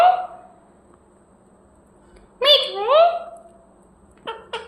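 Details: Parrot calling indoors, a few harmonic rising and falling chirps, one short hoarse note, then two quick clipped notes near the end, separated by a quiet stretch with a steady low hum.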